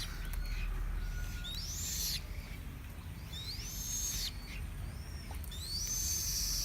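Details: Chinese blackbird song of bright, high rising whistles and short slurred notes in spaced phrases, roughly one every two seconds, with constant low background hum.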